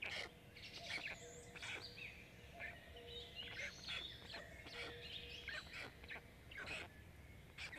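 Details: Black stork chicks on a live nest camera on an artificial nest in Jõgeva County, Estonia, 29 May 2022 around 15:25, during feeding of five young; harsh, raspy begging bursts in quick irregular succession, with high chirps from other birds.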